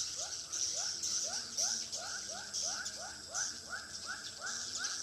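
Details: Swiftlet calls from a lure recording for a swiftlet bird house in Pekanbaru: short upswept chirps repeated about three times a second, layered over a steady, dense high-pitched twittering hiss.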